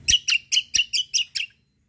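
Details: Kecial kombo white-eye as a lure for replies: seven loud, sharp, high chirps delivered rapidly at about five per second, then silence.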